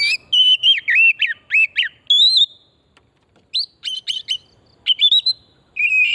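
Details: Oriental magpie-robin in forest habitat, song used as a lure to spur singing: dense stream of loud varied whistled phrases and looping notes, a brief gap, then more bright whistles and slurred notes.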